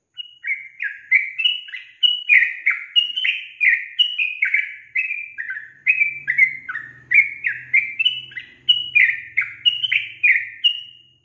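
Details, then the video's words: Female sooty-headed bulbul giving its lively call that draws males to reply: a continuous string of rich whistled notes, each dropping in pitch, repeated about twice a second for eleven seconds, with a faint low hum midway. "SUARA GACOR TRUCUKAN BETINA YANG BUAT JANTAN NGIKUT NYAUT GACOR"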